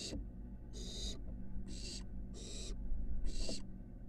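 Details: Barn owl nestlings at a University of Florida nest box, a chick climbing to the roof near fledging; five raspy screeching hisses at uneven intervals, with low hum beneath.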